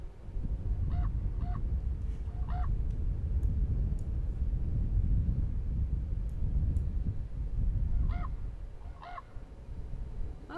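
A common raven gives hollow, gonk-like croaks, single or in quick pairs, in two bursts a few seconds apart, over a steady low rumble.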